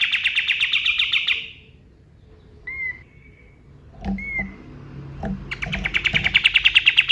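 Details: Male white-eye (kapas tembak) at dawn, reportedly recorded in wild forest: a rapid descending trill fades out, a few short whistled chirps follow in a quiet stretch, then another fast pulsed trill begins.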